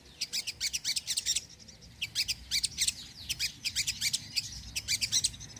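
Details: Sogon song meant to attract birds and spur lazy birds to sing: clusters of sharp, high, clipped chirps repeated rapidly in groups, several per second, with brief gaps between groups.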